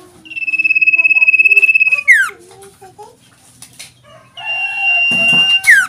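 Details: Sooty-headed bulbul kept as a tame cage bird, singing loudly: a long even pulsed trill closing with a sharp falling whistle, a pause of soft notes, then the trill and whistle repeated.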